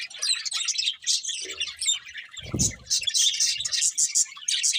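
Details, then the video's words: Budgerigars warbling and chirping together while feeding; the busy high chatter runs throughout, broken by a brief low knocking sound partway through. "Beautiful Budgies Singing and Eating | Love Birds Chirping Sounds"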